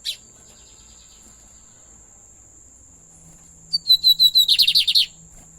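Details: Pet lined seedeater: after a quiet stretch with a steady high whine, a song phrase of a few thin whistled notes, then a fast series of bright chirped notes lasting about a second and a half.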